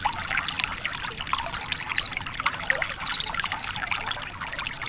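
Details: Javan bush lark in full song for training other larks: a sharp high whistle, a group of descending slurred notes, then fast rattling trills and a final high whistled note, over constant background hiss.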